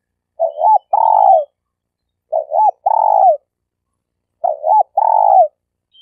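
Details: Spotted dove, a lure bird of competition standard kept in Malaysia for trapping, giving a clean, low cooing phrase: a short wavering coo followed by a longer, steady drawn-out coo, repeated about every two seconds, three times, with no other sounds.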